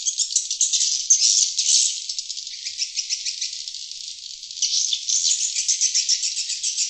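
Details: Swiftlet twittering played to attract wild swiftlets: quick high rattling chirps in pulsed bursts, softer through the middle, then strengthening again with rhythmic buzzy pulses toward the end.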